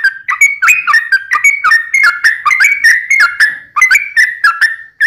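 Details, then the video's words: Sooty-headed bulbul song played to provoke other bulbuls into singing: dense run of mellow whistled notes, dipping and rising, packed closely together with barely any pause over five seconds. "PANCINGAN TRUCUKAN agar bunyi JADIKAN burung trucukan gacor NYAUT"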